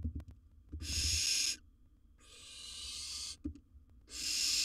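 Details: Wild barn owl inside a nest box while swallowing large prey lets out three extended, coarse hisses with brief quiet gaps between them and soft knocks in the background.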